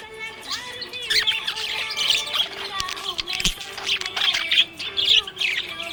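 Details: Happy budgie keeps up a continuous warbling chatter, mixing scratchy squawks, quick chirps and brief whistled tones, rising and falling in loudness over several seconds.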